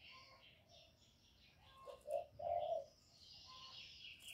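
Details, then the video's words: Decoy spotted dove giving its luring call: a brief low coo followed by a longer, fuller drawn-out coo, with distant higher-pitched birds twittering throughout. "CU GÁY GỌI + GÙ + THÚC CỰC KỲ HAY, Cu Gáy mồi hay, tiếng cu kích bổi, cu đất kích mồi"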